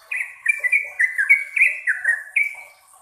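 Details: Yellow-vented bulbul giving a short burst of long-style song: about a dozen liquid, downward-slurred whistled notes in quick, uneven succession, the last one held slightly longer before falling silent.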